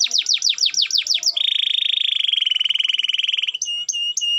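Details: Canary singing intended to rouse lazy canaries: rapid falling notes repeated several times a second, then a sustained rolling buzzy trill, ending with brief sharp whistles.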